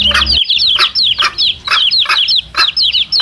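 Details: Domestic chicks with their mother hen, recorded as a lure for male wild junglefowl: a dense chorus of high, thin, downslurred peeps, overlapping and nonstop, with short broad cluck-like bursts about every half second; a low hum cuts out early.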